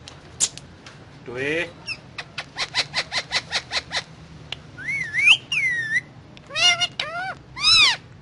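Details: Indian ringneck parrot talking as it eats guava: a dense string of clipped, rhythmic syllables, then bending whistled notes rising and falling, and stacked ringing arcs of chatter, over a faint low hum.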